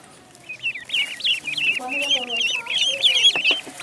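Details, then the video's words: Duckling peeping in a pond: a rapid, crowded series of bright high chirps with a brief lower, harmonic-rich call partway through. "Duck Sound duckling in the pond -duck quack"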